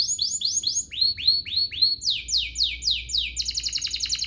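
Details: Canary song as a lure for other canaries: a steady series of arched whistled notes about four per second, shifting to down-swept notes, then ending in a fast rattling trill.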